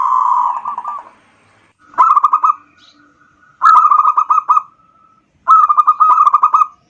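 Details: Zebra dove of local stock singing as a lure to provoke other doves. One blurred coo is followed by three crisp rolling phrases of rapid, bubbling notes, spaced about two seconds apart over silence.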